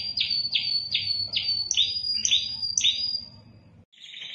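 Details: Spanish timbrado canary in Indonesia sings a row of bright, metallic notes, each dropping sharply, repeated about twice a second for three seconds, over a low steady hum, then a brief softer chirp.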